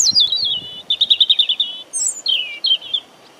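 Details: European robin (Erithacus rubecula) singing roughly 50 cm away in Deal, Kent, UK, on 17 April 2021: sliding high notes, then a rapid run of about ten repeated clear whistled notes, followed by descending tumbling phrases, with faint wind rumble below.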